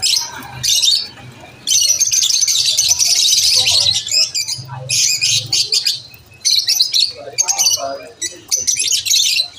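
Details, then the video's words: Several lovebirds chirping around lunch time, giving sustained high buzzy twittering in long bursts broken by short gaps, with scattered lower squeaky notes between runs. "Lovebirds chirping sound"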